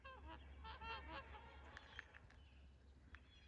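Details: Trumpeter Swans taking off at Rifle Lake on April 28, 2020 give a quick run of nasal, horn-like honks in the first second, followed by splashy takeoff noise over a steady low rumble.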